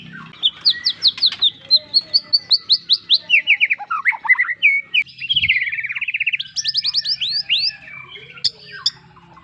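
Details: White-rumped shama singing a rich, varied song: fast runs of rising whistled notes repeated in series, slurred phrases sweeping down and up, and a rapid trill near the middle, over faint low background hum.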